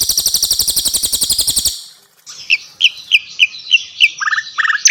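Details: Javan white-eye and mugimaki flycatcher tutor recording for captive songbirds: after a rapid buzzy rattle, a series of clear, high, evenly spaced chirps followed by two lower slurred notes.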